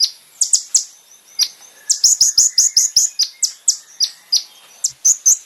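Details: Kolibri ninja song used to tutor caged birds. Sharp high chips, single and in quick clusters, interspersed with soft high twittering notes, giving an irregular lively rhythm.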